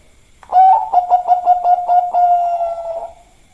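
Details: Bangkok-type zebra dove singing a busy song, a quick opening note followed by a fast string of short, steady coos and a drawn-out final note that fades away; no other sounds.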